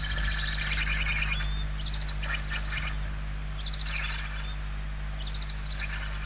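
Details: Barn owl chicks in a nest in Spain, hungry and begging, late November 2023: short bursts of rough, pulsed hissing with faint thin squeaks, separated by quieter gaps, steady low hum beneath.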